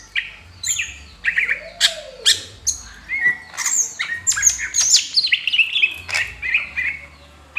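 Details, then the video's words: Greater green leafbird, fanning its tail while singing: a varied, busy stream of sharp chirps, squeaky whistles and harsh chatter, delivered in quick bursts with brief gaps, with a low hum underneath. "CUCAK HIJAU NGIPAS EKOR"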